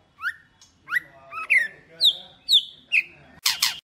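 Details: Female white-rumped shama voice for stimulating males: six separate upswept, whistled notes spaced about half a second apart, each ending in a short level tail, closing with a loud harsh burst.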